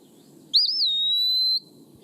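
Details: Eastern wood-pewee song in Missouri in spring, said to say its name and sound sad: one clear, plaintive whistle that wavers briefly, then a long, steady high note held for about a second over a soft hum.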